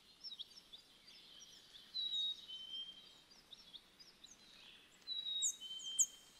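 American tree sparrows give thin, high tinkling twitters from several birds at once, with two clearer sliding whistled notes standing out about three seconds apart.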